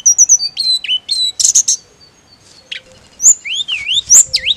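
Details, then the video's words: Mountain leafbird therapy recording for a bird that only chirps: high clear whistles and abrupt chips give way to swooping, looping whistled notes that rise and fall in pitch, in a busy, varied sequence. "TERAPI ATASI TLEDEKAN GUNUNG HANYA NGIRIK"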